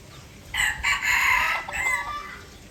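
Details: Lure junglefowl of F1 stock from Aceh, Indonesia, kept for trapping, crows once: a loud, raspy, broken crow lasting nearly two seconds, in several harsh segments that fade at the end, over soft background rumble.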